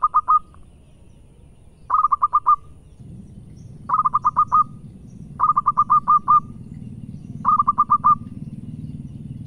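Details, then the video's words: Local zebra dove singing strongly: a short low coo followed by a quick run of four or five clipped, hollow notes, the phrase repeated about every two seconds, with a steady low rumble underneath. "Power Full Perkutut Lokal Gacor"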